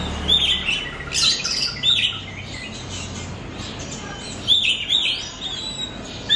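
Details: Lure song of the Oriental magpie-robin (kacer), played to help a kept bird learn and sing more: scattered bright whistles and fast rising sweeps, a scratchy burst at one second, quieter spells between, and renewed notes near five seconds.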